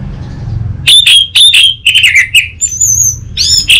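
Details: Orange-headed thrush singing a lure and tutor song for untrained birds: a fast, dense string of bright whistled notes that slur downward, then a thin high whistle and a closing burst of notes.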